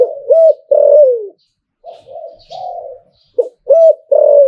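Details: Captive spotted dove in the Thai liu-tan style: a loud rising-falling phrase ending in a long descending coo, a stretch of quieter mellow coos, then a sharp hooked note starting the next phrase.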